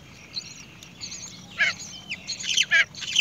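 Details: Great myna chick begging as its mother brings earthworms to feed it: harsh, raspy begging bursts in quick clusters, rising in intensity toward the end, over faint background hiss.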